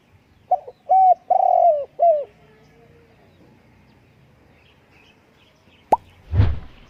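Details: Spotted dove calling: a quick run of short, clear, arched coo notes and one longer slurred note in the first two seconds. A faint trailing tone follows, then a sharp click and a brief broad rush of noise.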